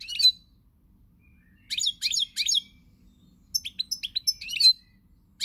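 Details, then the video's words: A pied European goldfinch, recorded 20 March 2020, gives bright, tinkling twitters and liquid trills in quick bursts, high and sweet, with short pauses between phrases. "Pirlitan Chardonneret, El jilguero, bird, cardellino pezzato GOLDFINCH SONG"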